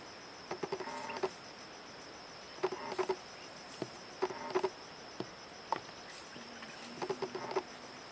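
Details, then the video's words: A bar-backed partridge at the forest edge of Kaeng Krachan National Park on 19 March 2012 gives short, low, hoarse notes in quick clusters of three to five, repeated every couple of seconds, over a steady high insect drone. "Bar-backed Partridge"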